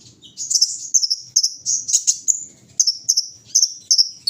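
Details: Morning dew-taking session for a kolibri ninja: high, thin trilling phrases slide and flutter, broken by brief gaps, with a faint low murmur underneath.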